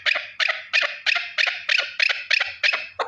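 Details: A single male partridge calling: harsh, rasping notes repeated about three times per second in an even series, each burst broad and clipped, with no other sounds.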